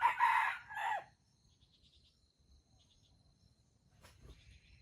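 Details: Wild red junglefowl drawn to a baited trap, birds competing to crow: one loud, harsh, broken crow lasting about a second opens the recording, followed by near quiet with faint high insect chirps and a brief distant call.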